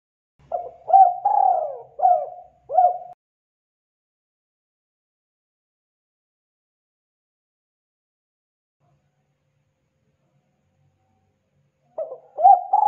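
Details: Spotted dove lure call: one phrase of four mellow, throaty coos, the second drawn out, then a long silence of about nine seconds before a new phrase of hollow coos starts.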